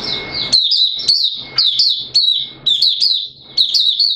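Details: Oriental white-eye (Malaysian bird) in full 'buka sing' song, Singapore, 29 March 2023, warm humid weather: quick high chirping phrases repeating about every half second over a faint steady tone.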